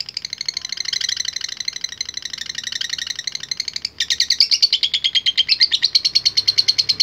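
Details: Lovebird, latah contest type, singing keenly to provoke rivals. A harsh, fast chattering trill runs throughout, breaking for an instant midway and then resuming with crisper, more clearly separated notes.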